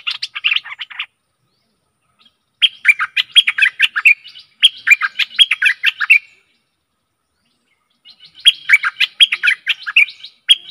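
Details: Stripe-throated bulbul song used as a decoy for luring aggressive wild birds: three bursts of bubbly, chattering notes, the first short and the next two longer, separated by silent gaps.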